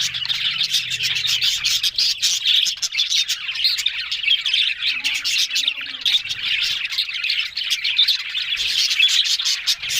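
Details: Budgerigars in a flock, said to be talking, on October 1: busy, unbroken twittering of many birds, sharp squeaks and rapid chirps layered into constant high-pitched chatter.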